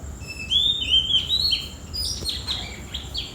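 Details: Oriental magpie-robin singing in the early morning, around 4–5 am, a varied run of clear, high whistled notes, some sliding and some sharply slurred, over a faint low background hum.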